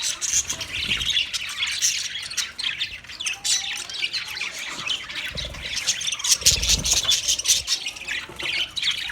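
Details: Budgie song of continuous rapid chirps and harsh squawky notes, busy and uneven, with several short low thumps in the background.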